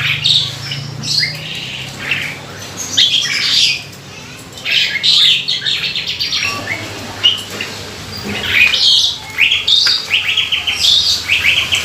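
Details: Jalak suren, or Asian pied starling, in a lure recording used to get birds singing: long run of chattering, squeaky whistles and rattles with short pauses, a low hum early on.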